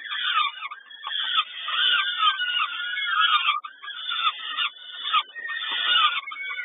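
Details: Peregrine falcon begging at a feeding in Kawęczyn, 10.05.22: dense, overlapping harsh wailing calls with arched, slurred notes, nearly continuous for the whole stretch, with several voices crowding together and only brief gaps.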